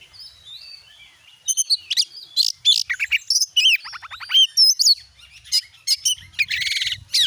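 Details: White-rumped shama song serving as a lure to prompt a caged bird to sing: a lively stream of varied whistles, sweeping notes, chips and rapid buzzy trills, building after a quiet first second.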